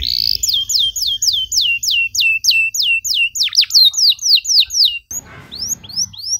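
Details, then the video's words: Canary singing long 'nembak' bursts in luxurious 'cengkok mewah' style for young birds to learn from: a steady train of upslurred high whistles about four per second, a brief pause, then falling notes over rustling noise. "KENARI GACOR DORR NEMBAK PANJANG, CENGKOK MEWAH COCOK BUAT KENARI MUDA BELAJAR BUNYI"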